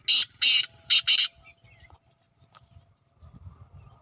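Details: Black francolin heard at evening in a village, giving four loud grating notes in a rapid burst before quiet low rumbling and faint distant sounds.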